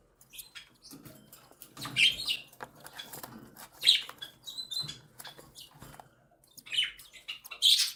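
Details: Cockatiel mother feeding her three chicks, one newly hatched and two seven days old; the chicks utter repeated high rasping squeals in short bursts every second or two, amid quiet shuffling.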